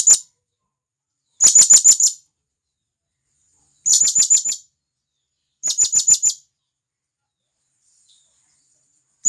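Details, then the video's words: Forest-dwelling wild blue-crowned hanging parrot calling companions, giving three rapid bursts of five or six shrill, high-pitched chips, spaced about two seconds apart, then a pause; otherwise quiet background. "Serindit Gacor"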